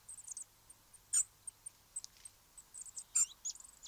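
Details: Eurasian treecreeper calling: very high, thin, sibilant notes near the top of the range, short and irregularly spaced, with a few louder sharp ticks; quiet background.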